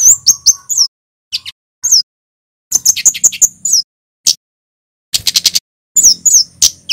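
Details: Javanese kemade male singing the 'cit keres' pattern: clusters of piercing high chirps and downslurred whistles separated by short silences, with quick rattling bursts of ticks near the end and a faint low hum underneath.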